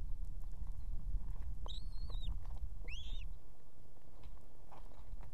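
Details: Osprey female calling the male to fetch food to her Estonian nest, which holds two chicks, at evening. Two high, arched whistled calls about a second apart, over strong low rumbling noise that eases midway.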